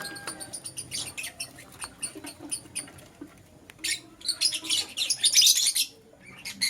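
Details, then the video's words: Two lovebird color varieties, green Personata and yellow pastel pied, in morning chatter: steady rapid high chirps, then a denser, louder spell of shrill overlapping twittering before tapering off. "Lovebird Chirping Sounds - Green Personata & Yellow Pastel Pied"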